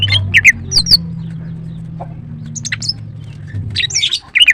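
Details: Female greater green leafbird, known locally as green cucak, kept as a songbird and used as a lure to provoke other birds: sharp chirps and squawky notes in scattered bursts over a steady low hum.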